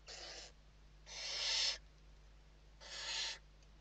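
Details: Western barn owls at their nest in Spain during an evening feeding in late November 2023, three rasping hisses, the middle one longest and loudest.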